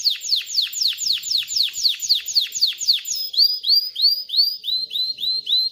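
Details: Male canary song for training young birds and readying hens for breeding. About a dozen quick downward-sliding whistles are followed by a series of clear, rising upslurred notes.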